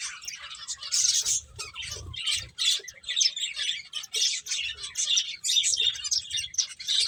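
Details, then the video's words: Finches feeding together give rapid, overlapping high chirps and harsher squawky notes in bursts, the chatter rarely pausing, over faint low thumps. "Cute Birds Chirping Sounds | Beautiful Finches Eating"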